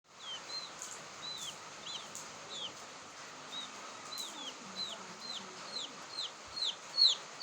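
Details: Quail chick calling, a sound used as a lure for trapping quail; thin, high, downslurred peeps come in a steady series, faint at first and growing louder near the end, over a soft background hiss.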